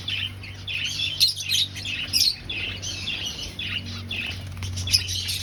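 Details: Breeding finches in an aviary colony, finding a nest, chatter in bright, high tweets and short squeaks, several birds overlapping, with a steady low hum underneath.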